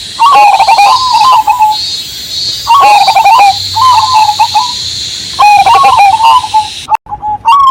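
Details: Zebra dove, Cemani Majapahit type, in full song over a background of rain and a steady high cicada drone: three clear phrases of quick bubbling coos followed by sustained mellow notes, about every two and a half seconds.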